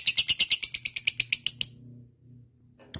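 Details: ['Lovebird giving a vigorous ngekek song with tight gaps, used to prompt lazy lovebirds to sing: a rapid, high chattering trill of about fifteen sharp pulses over under two seconds, then near silence with a faint low hum.']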